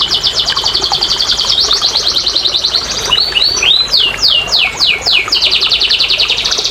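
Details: Canary singing to prompt idle canaries to sing: rapid high trills of repeated notes, then a series of broad descending sweeps, returning to quick rattling trills.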